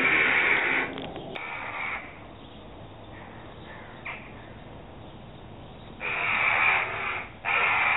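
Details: Adult Eurasian jackdaws, a pair defending their young, giving harsh alarm calls recorded on a 3.5-megapixel camera; loud rasping bursts open and close the stretch, with a quieter gap and one brief call between.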